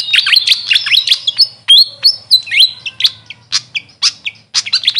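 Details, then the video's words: Grey fantail, Maria Capra by local name, producing repeated sharp downward-slurred squeaks in quick succession, followed by spaced thin whistles and scattered chips. "Grey Fantail bird call||huni ng Maria Capra kung sa amin tawagin"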